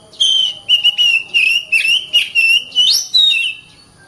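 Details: Oriental magpie-robin song, a bright run of steady whistled phrases with short breaks between them, ending in an upward-sweeping note and a falling tail.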